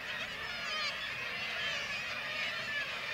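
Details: Many black-legged kittiwakes call together at their Varangar, Norway colony during a white-tailed eagle attack on chicks: a steady wall of grating, wavering cries layered over one another.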